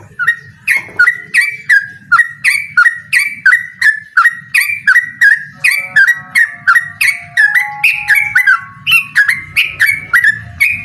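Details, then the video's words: Rapid-fire song duel challenge from a yellow-vented bulbul: a long, steady stream of short gurgling whistles, roughly two per second, with a faint low murmur beneath. "suara burung trucukan gacor mengajak lawan adu ropel"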